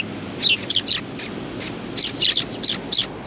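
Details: Small group of sparrows on a bench at a Tenmangu shrine, Japan, January 2020, calling in loud, high chirps, roughly three per second, some doubled, above a soft low-frequency hum.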